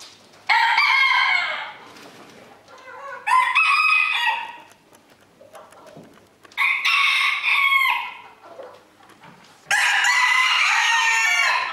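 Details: At a crowing contest in Villers-la-Ville in 2022, roosters give four separate loud crows spread over about twelve seconds. Each is a harsh, harmonic burst, and the last is the longest, with faint crowing in the gaps.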